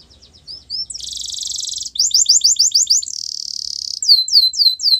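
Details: Canary song meant for coaching canaries to sing: soft short notes lead into a dense buzzy roll, quick repeated chirps, a second rolling trill, then curved whistled notes.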